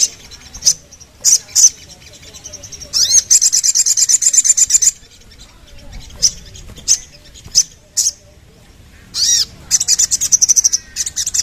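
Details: Sooty-headed bulbul (sogon) song: short bursts of bright chirps and rapid rattling trills high in pitch, separated by brief pauses, with a few quick upslurred whistles.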